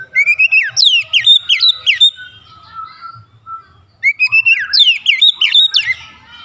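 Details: White-rumped shama lure song meant to get other shamas singing: two loud bursts of clear whistles, each a rising lead note followed by fast falling slurred notes, separated by a quieter gap with faint low background noise.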